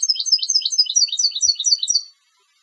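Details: A competition goldfinch sings a continuous string of sharp, chirping high notes, repeated quickly and evenly for about two seconds before stopping.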